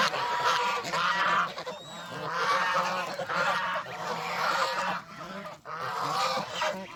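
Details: Countryside farm geese out of the pen, calling in repeated bursts of raucous honking roughly every second, the harsh notes piling over one another.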